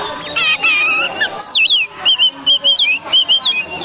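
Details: Oriental magpie-robin song from an Indonesian songbird-hobby recording used as a lure for training other birds: loud whistled phrases, a rich warbled opening, then a swooping note and a run of short clear whistles repeated about twice per second.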